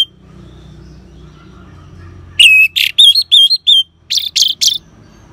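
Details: Ngeban-style song of an orange-headed thrush used to prompt caged birds into singing; after quiet hum, one bright phrase of an upslurred whistle, a rasp and looping whistles, followed by a short run of harsher, buzzy notes.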